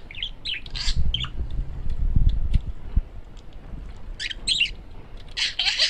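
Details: Male pet parakeet in its chattering: scattered harsh squawks and chirps in two clusters, at the start and near the end, separated by a stretch of low rumbling background noise.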